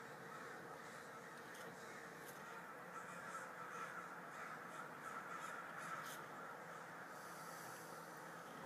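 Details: Swarm of crows descending on a local mall, calling together: a dense, continuous wash of overlapping harsh caws from many birds, with no clear gaps, over a steady noisy background.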